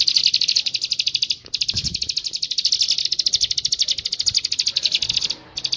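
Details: Bar-winged prinia delivering a fast buzzy trill of closely packed notes with brief breaks, the trill dipping slightly before a pause near the end and resuming, with faint low bumps.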